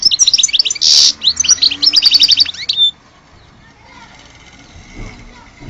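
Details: European goldfinch, billed as a true goldfinch of Alge, giving about three seconds of rapid twittering with a harsh buzz near one second and a trilled run, then quiet background.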